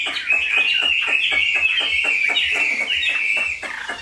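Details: Caged Chinese hwamei giving a rapid, rather harsh chattering song with steady clicking pulses several times a second and a continuous band of buzzy whistled notes.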